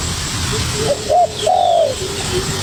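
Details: Young spotted dove calling hard in response to a decoy bird: a short cooing note, then a longer, slightly rising-then-falling drawn-out coo, over a steady background hum.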